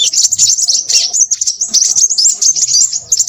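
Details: A crimson sunbird singing noisily: a rapid, continuous high-pitched twitter of thin chips and short whistled slurs, almost without pauses.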